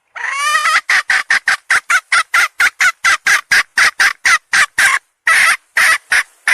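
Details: Hen starts with a rising, harmonic wail, then delivers a long, fast train of harsh clucks, roughly two per second, ending in a few longer squawks.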